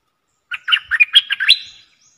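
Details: Caged red-whiskered bulbul used as a decoy bird for luring, singing one short burst of rich warbled notes around 1.5 to 4 thousand cycles, about a second long, otherwise quiet.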